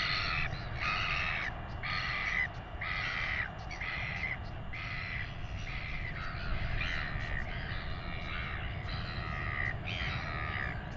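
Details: Royal albatross chick being fed by its father at a nest in New Zealand, during a weighing: harsh, buzzy begging calls repeated about once a second in a steady series of short bursts, over constant low wind rumble.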